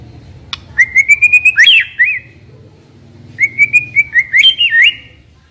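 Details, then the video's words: Decoy white-rumped shama singing two whistled phrases, each a quick run of steady rising notes ending in a twisting, slurred flourish, with a soft low hum in the background. "Chòe lửa mồi hót cực hay"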